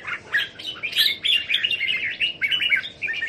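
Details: Captive Red-whiskered Bulbuls in Thailand, 27 January 2021: a busy run of short rising and falling whistled notes and chirps, overlapping densely throughout.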